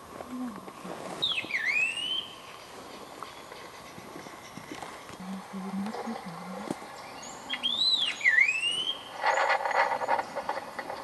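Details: Scaly laughingthrush, Eaglenest, Arunachal Pradesh, India: a dipping, looping whistle rising again at its end, repeated once about seven seconds later, with a low humming sound and a brief burst of rustling noise after the second call.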